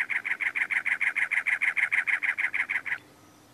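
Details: A male cactus wren calling on territory from a dead bush and teddy-bear cholla, Anza-Borrego State Park, California, in April 2010, gives a fast, harsh, chugging series of about nineteen grating notes in three seconds, steady in pitch.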